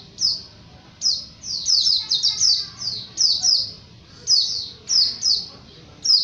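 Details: A Japanese white-eye delivers bursts of shrill, downslurred whistles in clusters, separated by brief pauses, in the energetic 'ngalas' manner.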